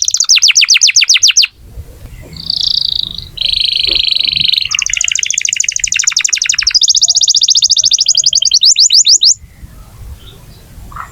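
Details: Vigorously singing canary, used to prompt young or silent canaries to sing: fast repeated chip series, buzzy rolling tours at changing pitches for about nine seconds, then near silence with faint low background noise.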